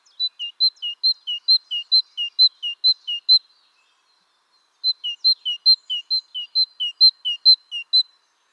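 Great tit song: a ringing two-note 'tea-cher' phrase, high then lower, repeated about eight times in two quick bouts with a pause between.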